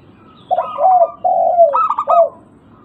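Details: Local zebra dove, played as a lure to make other birds answer, giving a stuttering cooing phrase of purring notes and two long falling coos, then a second burst of quick stuttered notes.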